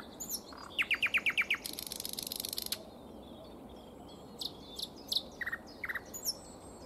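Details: A common nightingale singing in spring: a rapid run of six repeated whistled notes, then a dry, buzzy rattle, followed by scattered sharp chirps and high whistles.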